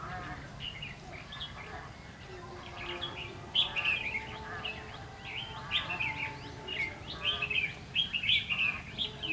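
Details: Red-whiskered bulbul recorded during trapping of a flock leader on 14 March 2016; bright warbled phrases bounce around a high register in quick, uneven bursts, growing busier and louder in the second half, with a steady low hum beneath.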